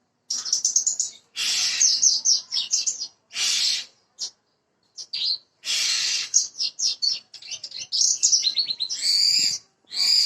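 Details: Bushlark of the parva type, a recording used to prompt another bird to sing quickly: bursts of high, scratchy, chattering phrases with quick trills and whistled notes, broken by short silences, ending in a clear whistle.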